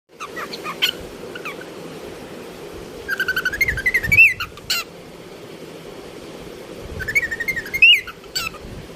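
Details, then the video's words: Cockatiel chirping: two bursts of rapid, warbling chirps rising in pitch, separated by a few seconds, over a steady low background hum. "cockatiel chirping"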